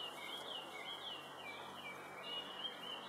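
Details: Male narcissus flycatcher (Ficedula narcissina) at Sakuragaoka Park, Tokyo, on 14 May 2011, sings a run of clear, high whistled notes rising and falling in quick succession, over steady background hiss.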